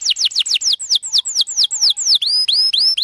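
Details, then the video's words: Chattering canary song used as a lure for young birds learning: a quick series of sharp descending whistles about four per second, ending in upswept ringing notes. "Kenari gacor panjang Merdu Cuit Cuit EMOSI, Pancingan Kenari Paud Belajar Bunyi"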